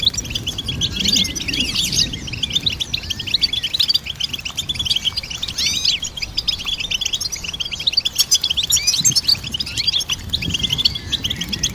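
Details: Goldfinch song, possibly a hybrid, as a dense, continuous stream of bright, rapid twitters and chirps with quick trills that keeps going without pause, with faint low rumble underneath.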